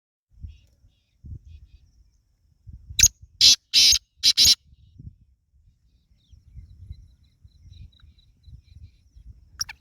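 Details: Black francolin, the kala teetar, giving one burst of four or five loud harsh grating notes, fast and close together, over about two seconds, with low rustling and handling noise before and after.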